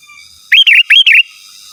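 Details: Lively sooty-headed bulbul song, free of added imitations and used for luring wild birds and training caged ones: a brisk pair of bubbling, wavering whistled phrases within under a second, clear against a quiet background.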